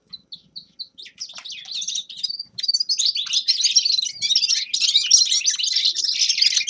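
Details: A few spaced, clipped high notes from a grey-crowned goldfinch open up into a dense, continuous twittering song full of tinkling trills and quick buzzy phrases.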